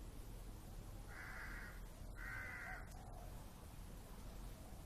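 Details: Crow calling: two harsh, hoarse caws about a second apart, each held for roughly half a second, over a steady low rumble of background noise.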